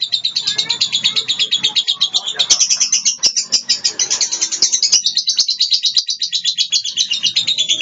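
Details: Blue lovebird in molt giving a long ngekek chatter: a continuous, rapid stream of shrill, buzzy high notes pulsing several times a second for the whole stretch, with a few faint clicks and knocks in the background.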